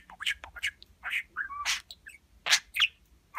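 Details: Budgerigar mimicking human talk, especially kisses: loud, hissy word-like syllables mixed with a short level whistle and squeaky chirps, delivered in a quick, busy sequence.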